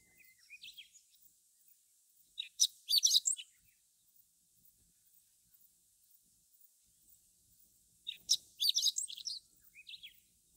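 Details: Chestnut-eared bunting singing in Akita, Japan, a northern area where the species lives: two bursts of high, rapid, jumbled twittering, each about a second long and several seconds apart, with softer scattered notes before and after each burst.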